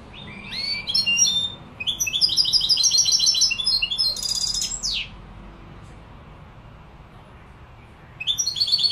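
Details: A Malaga-type European goldfinch (jilguero malaga) sings a fast, high, tinkling twitter mixed with buzzy trills, in long bursts broken by a pause of about three seconds.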